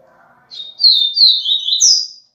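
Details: Double-collared seedeater, viviti song: a rapid high phrase of slurred descending notes run together, ending in a sharp rising whistle, with a faint click near the end.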